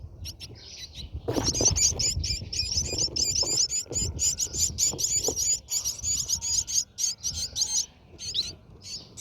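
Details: Brahminy starling nest: a fast, continuous run of high, squeaky, twittering chirps, loud and evenly spaced for several seconds, then easing into scattered notes.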